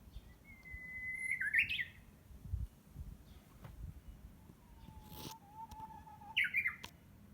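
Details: Unseen wild Japanese bush warbler practising its song around June in greenery behind a house: a long steady whistle ending in a quick twisting flourish, twice, with a lower drawn-out whistle between and faint background hum.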